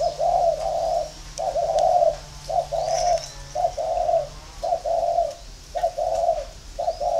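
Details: Spotted dove cooing while competing against a ground decoy bird. Low, hollow coos come in short blocks about once a second, with faint chirps and room noise behind.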